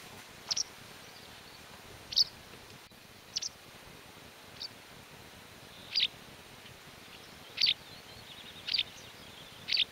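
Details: White wagtail in the mountains of León, Spain, recorded in May 2019, giving short, sharp high calls, single or doubled, one every one to two seconds, over a quiet, steady hiss.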